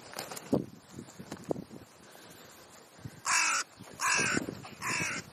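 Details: On a sunny Leipzig park lawn in the Rosental near the zoo, scattered thumps and rustles give way to three loud, harsh caws about one second apart.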